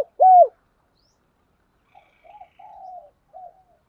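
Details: Spotted dove call for provoking fights and luring wild doves: a single loud arched coo, then a pause and a short series of soft, muffled cooing notes.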